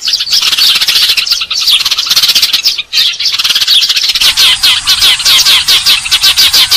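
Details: House sparrows used as a lure: continuous shrill chattering chirps, thickening after four seconds into a loud, rapid flock chorus of overlapping notes.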